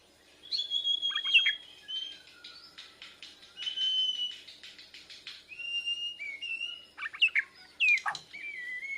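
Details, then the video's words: White-rumped shama from Borneo learning continuous song, replying to a lure recording; long pure whistles, some steady and some sliding sharply down, mixed with scratchy notes and short pauses. "Murai Borneo Belajar Gacoorrr, Nyaut pancingan"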